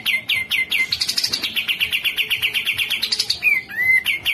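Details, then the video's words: Grey-cheeked bulbul, masteran tutor recording: fast chattering run of bright, evenly spaced chirps, briefly rising higher in the middle, ending with two clear down-slurred then upswept whistles. "Masteran Cucak Jenggot"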